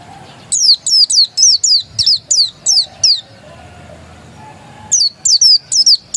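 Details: Raw-voiced dakun Oriental white-eye delivering a fast series of high, falling chirps, around nine in a row, a pause of nearly two seconds, then the chirping resumes.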